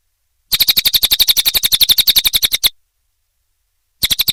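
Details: Training song of a cililin for caged birds: a two-second rattle of rapid, high, scratchy chirps, a silent pause, then the same quick chirping starts again.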